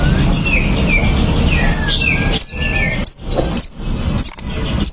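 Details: White-rumped shama singing to provoke a rival into fighting: a few thin whistled slurs, then sharp high chips repeated about every half second, against constant low background rumble.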